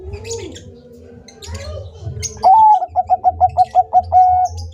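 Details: Bangkok-type zebra dove in vigorous song: after a stretch of soft mixed bird chatter, a rising first note leads into about eight clipped coos and a prolonged closing coo, over a low background hum.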